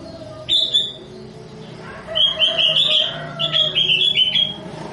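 Sooty-headed Bulbul giving short, bubbly whistled phrases of quick rising-and-falling notes, three bursts in five seconds, over a faint low background hum.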